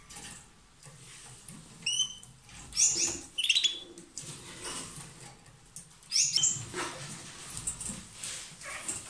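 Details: A pair of lovebirds giving loud song while kissing or swapping food; scattered sharp, high chirps and squeaks come in short bursts with quiet gaps, over soft rustling background noise.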